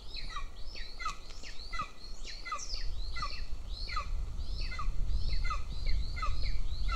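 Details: Golden eagle chick begging in a nest in Northern Estonia while the female feeds its elder sibling; fast, excited run of thin falling whistles, two or three per second, over rising low rumble.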